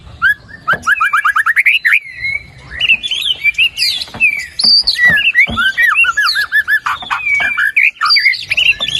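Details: Continuous white-rumped shama song played to encourage a lazy bird to sing: a rapid rising run of whistles, then an ever-changing stream of slurred notes, chirps and trills.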